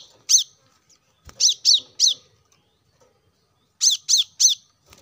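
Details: Plain-throated sunbird used as a trigger for caged songbirds: single and tripled high sharp chips with a clear pause between groups.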